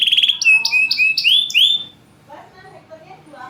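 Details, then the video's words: Caged champion canary singing to lure lazy singers: a run of rapid high trills and rising-falling whistled notes in quick succession, then fading to faint background murmur. "PANCINGAN KENARI MACET || JEDA RAPET || SUARA LANTANG || SUARA ASLI KENARI JUARA."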